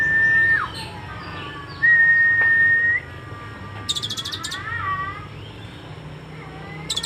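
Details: Kolibri ninja sunbird song with cililin fill: steady whistled notes that rise and fall, then a fast high buzzy pulse burst and several sliding whistles, repeated once more near the end, with a faint background hum.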